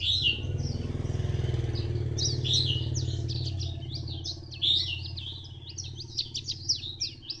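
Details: White-eye song from Phù Yên, Vietnam, 2 October 2015: a continuous high, scratchy twitter of quick up-and-down chirps over the steady low drone of a running motorcycle engine that fades partway through.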